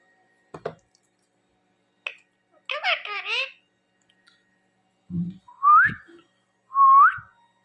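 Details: Talking parrot mimicking words indoors: a few sharp clicks, then a burst of high, voice-like harmonic chatter, followed by two loud rising whistles about a second apart.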